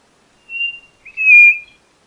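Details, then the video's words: White-bellied nothura giving a soft, thin introductory whistle followed at once by a louder, fuller, level whistle, all within about a second; clean quiet background. "Canto da Codorna do Nordeste Nothura Boraquira"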